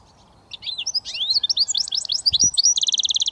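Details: Switty song of a goldfinch mule, a British finch hybrid: a stream of bright, rapidly alternating rising and falling twitters, finishing with a fast, regular buzzing trill; a faint low thump midway.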